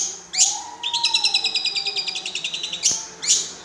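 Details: Long-tailed shrike mimicking lovebird song: a rapid train of bright, ticking double notes for about two seconds, framed by sharp rising squeaks and a low drawn-out tone.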